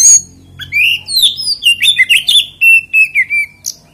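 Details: Oriental magpie-robin, a kacer, singing a lure song meant to make other magpie-robins sing; a rich run of whistled, slurred notes and sharp chirps, with short rising and falling phrases repeated rapidly for four seconds.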